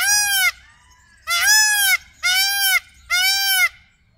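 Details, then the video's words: A peafowl gives four loud, nasal, trumpeting honks about a second apart, each rich and brassy, over a low background rumble. "Pavo real: tan pronto se lo ve como deja de verse, pero su canto sigue."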